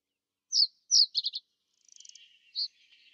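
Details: Common reed bunting in winter at Genk, Boxberg, Belgium: two high thin notes, then a quick triple of short chirps, followed by fainter buzzy trills and one more high note; faint background twittering.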